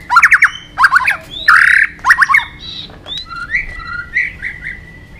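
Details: White-rumped shama singing its fighting song: clustered bursts of chattering and buzzy notes, then softer, lower warbled whistles that fade out.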